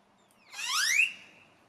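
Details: A young male grackle gives one raspy, upward-sweeping whistle that levels into a thin, steady high note, after a faint falling whistle.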